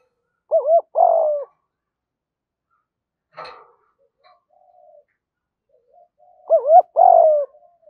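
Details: Spotted dove coos, male and female calling to stir up training birds: a short two-part soft coo near the start, then the same hollow phrase repeated near the end, with a brief rustling knock and faint murmurs in between.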